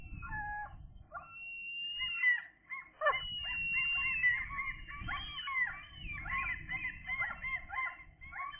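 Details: Two seagull chicks at thirteen days old, fed from a food tray, recorded 16 June 2021; thin whistled calls, some drawn-out and slightly wavering, others short and repeated, overlapping continuously over a low rumbling background.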